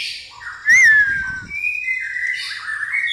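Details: Pastol white-rumped shama singing gereja tarung (fighting sparrow) material: a loud ringing upslurred whistle followed by sustained whistled notes and buzzy chirps.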